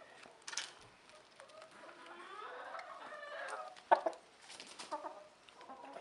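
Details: Rooster with hens, a faint stretched crow rising then fading in the middle, framed by sharp clicks, a loud knock and scattered hen clucks against quiet background noise.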